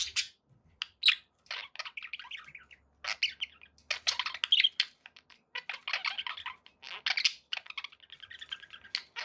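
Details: Pet budgies in steady chatter, a stream of sharp chirps and scratchy warbled notes in uneven bursts.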